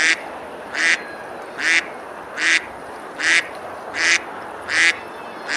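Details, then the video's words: Summer-day ducks feeding on a river at Besalú, Girona, Spain; eight evenly spaced, loud rasping quacks follow one another roughly every 0.7 seconds against a steady rushing background. "Ducks quacking, eating and splashing on the river"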